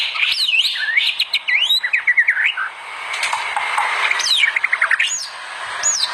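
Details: White-rumped shama in full lively song, used as a master recording for training other shamas: rapid varied whistles, slurred upward sweeps and quick trilled runs, with a brief softer pause midway.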